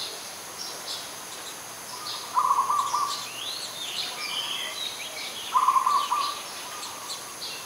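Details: Adult zebra dove, Ubon Ratchathani, Thailand, 21 September 2022: a faint coo first, then two loud trilled, stuttering coos about three seconds apart, over a steady background of high bird chirps.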